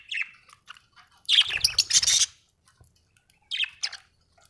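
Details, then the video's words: Cheerful budgerigar singing with quick high chirps, then a loud dense burst of scratchy warbling chatter, and a few more chirps after a pause. "Happy budgie chirping sound 🥰 budgie singing sound 😍"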